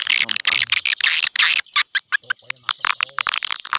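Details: Lure call for attracting swiftlets: fast, irregular high chattering twitters and sharp clicks, about two to three per second, with a few faint low tones beneath.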